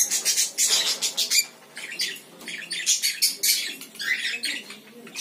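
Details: Lory parrot giving harsh, loud squawks in quick bursts, a dense run for about a second and a half, then broken pulses and rasping notes spread across the rest.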